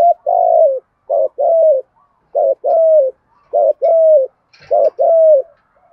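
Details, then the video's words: Spotted dove decoy with the deep 'thổ' cooing voice, used to provoke and attract wild doves. Four paired phrases, each a short hoot followed by a longer coo falling at the end, repeated about every 1.2 seconds. "cu gáy thúc gù giọng thổ/ thúc đấu bổi nghe nhanh về cội+mồi nghe gáy theo"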